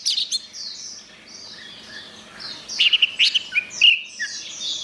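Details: Orange-headed thrush gacor song, starting quiet with thin, soft high whistles, then louder sharp chirps and clear whistled notes in quick succession.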